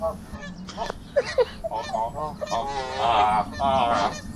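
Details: Geese in a gang on a trail, vocalising loudly; short honks open, then long drawn-out nasal calls with wavering pitch dominate the second half.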